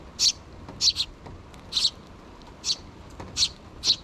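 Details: Sparrow chicks beg parent birds for food before fledging, two in the nest, June 2023; high chirps, some in close pairs, spaced about every second over light background noise.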